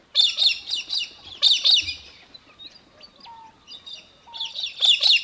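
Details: Australian hobby, also called little falcon, in Victoria, Australia, December 2023. It gives loud, harsh, rapid high chattering bursts at the start, near the middle and at the end. Fainter thin whistles and short notes fill the gaps between.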